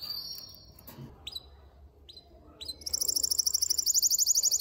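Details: ['Excited male canary in a cage, singing to rouse a female for mating: a few scattered high notes over faint background hiss, then a very fast, high, even trill for the last second and a half.']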